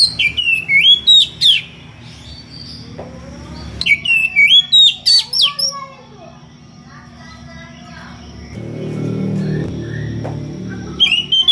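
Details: Oriental magpie-robin (kacer) singing ngeplong, calling a rival with varied odd notes: two bursts of rapid whistles and twittering, separated by quieter warbles and a low rumbling stretch.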